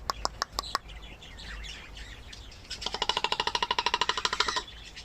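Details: Pet common raven interacting with its owner: a few sharp dry clicks open, then after a pause a rapid rattling series of knocking pulses runs steadily for almost two seconds before stopping.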